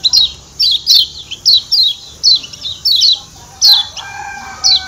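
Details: High, thin, downslurred 'ciak' notes from a Lombok white-eye (kecial kuning), given singly or in pairs more than once a second, with a faint steady low whistle toward the end.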